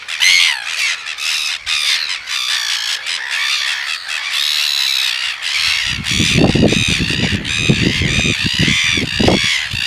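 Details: Red-billed gulls attempting to mate at Pukekura, Otago Peninsula; loud, grating squawks and a long drawn-out harsh cry midway, then faster choppy calls over low thudding noise in the final seconds.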